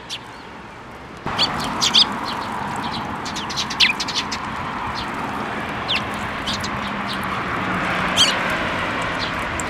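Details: Fledgling Eurasian tree sparrows coming to a plum tree for food at a Tenmangu shrine in Japan, 25 May 2024; scattered short, bright chirps, irregularly spaced, over steady outdoor hiss.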